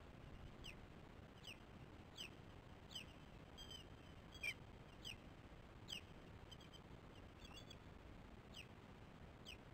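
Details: Osprey nest at dawn with the mother feeding her chicks. Thin, high whistled notes curve up and down in a loose series about every second, with occasional clicks over a steady low hiss.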